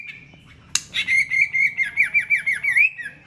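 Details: Fighting song of a White-rumped shama: a sharp snap, then a rapid string of about ten high, bouncing whistled notes that rise at the end.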